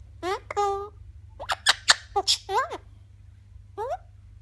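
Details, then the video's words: Eclectus parrot talking: several short, squeaky word-like syllables with sliding tones, a quick run of crisp sounds in the middle, and one final rising syllable after a pause. "Eclectus Parrot talking"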